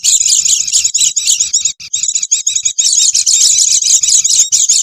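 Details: Oriental white-eye lure sound for catching wild birds: shrill, quick-fire chirping and twittering, busy and continuous, with a short pause early on and a quiet low background murmur.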